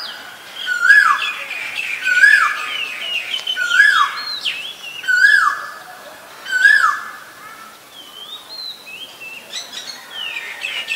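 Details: Asian koel calling: loud, clear notes that rise sharply and then sweep down, repeated about every one and a half seconds, five times in a row, followed by fainter chirps from other birds.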